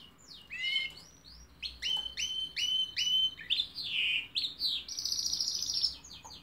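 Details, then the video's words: Canary in full song: descending whistled sweeps, a run of repeated bright rising notes, buzzy rolls and a fast high trill at the end. "chant de canari magnifique تغريد طائر كناري رائع"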